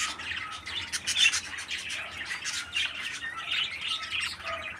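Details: A captive 13-day-old parakeet chick, healthy and strong and tended by a breeder parent bird, with rough, scratchy squawking chatter. The calls come in repeated short bursts that rise and fall in loudness.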